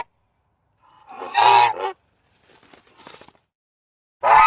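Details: Goose calling: a harsh nasal honk of about one second with rich harmonics, followed by faint quieter rustling and a second loud honk cut off at the end.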